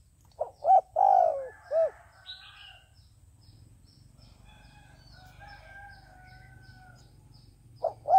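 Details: Decoy dove cooing, kept to lure wild doves for trapping; a short group of loud, hoarse coo notes near the start, a pause with faint chirps in the background, then the coo phrase begins again.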